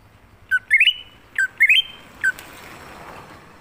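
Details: Greater green leafbird, forest-style lure song for drawing leafbirds. Two full phrases of a low note plus a rising stepped whistle, then a third cut short, over a low hum and growing hiss.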